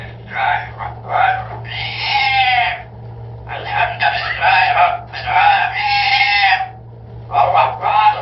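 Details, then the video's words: A parrot recites Surat al-Fatiha in a run of speech-like phrases, nasal and slightly strained, with short pauses between bursts over about eight seconds, a steady low hum underneath. "ببغاء يقرا سورة الفاتحه ويتكلم"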